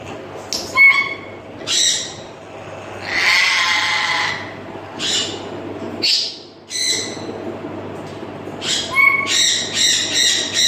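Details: A pair of grey parrots kept at home, giving loud whistles, harsh squawks and buzzy nasal calls in short bursts, with some sharp rising whistles between the rougher notes.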